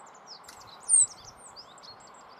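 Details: Rock bunting in the Moselle valley, Germany: one sharp, very high, thin note stands out midway, amid faint scattered high tinkling chirps and a steady low background rush.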